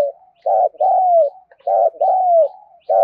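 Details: Repeated spotted dove coos in the vigorous 'thúc gù' style for rousing newly caught birds: back-to-back pairs of a short hoarse note and a longer slurred falling note, with soft murmurs between.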